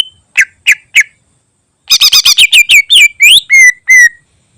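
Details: Greater green leafbird singing a filler-rich song used to train other birds: three sharp downslurred chips, a pause, then a fast chattering run of buzzy notes that slows into rising and level whistles.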